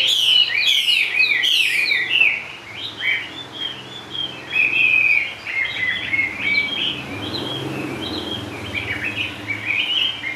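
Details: Caged Chinese hwamei singing low on its perch, said to perform anywhere: a burst of rapid loud chirps, then a long run of varied whistled phrases swooping between mid and high pitch.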